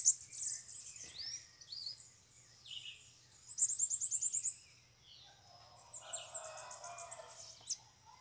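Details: Several wild bananaquits gather at a cage while being trapped. Sweeping high whistles and two bursts of fast, high, stuttering trills stand over a faint low hum, with quieter chatter between.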